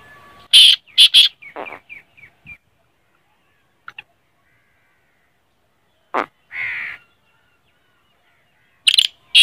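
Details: Black francolin (kala teetar) call: loud harsh grating bursts in a quick pair, then shorter fading notes, a brief pause, and two more harsh bursts near the end.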